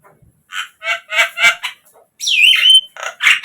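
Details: Javan myna song used as a lure to make captive birds sing: a run of harsh, buzzy chattering notes roughly every third of a second, then a loud slurred whistle sweeping downward and further scratchy notes.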